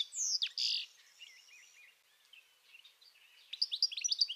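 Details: European goldfinch by the Tagus River in Aranjuez, Madrid, Spain: a loud buzzy twittered burst, then soft, quiet warbling notes, ending with a fresh run of rapid tinkling high chirps.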